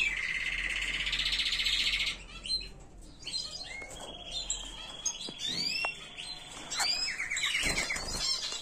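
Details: Tutor canary song for teaching young birds: a loud rapid trill, then a looser run of whistled upslurs, chirps and a short buzzy roll.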